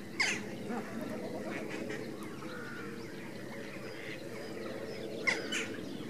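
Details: Foraging greater and Andean flamingos: a steady, low, goose-like murmur of many birds calling together, with two sharp splashy bursts near the start and end.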